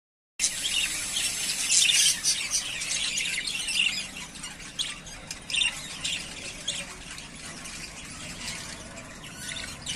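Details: Three pairs of yellowface spangle budgerigars, ready to breed, keep up a dense, continuous high chatter of scratchy squawks and chirps that starts abruptly after a brief silence and then gradually softens.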